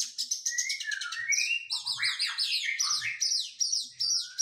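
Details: Oriental magpie-robin, trained after moulting, giving rapid repeated downslurred whistles and sweeping rising notes in lively, irregular succession, with faint low taps.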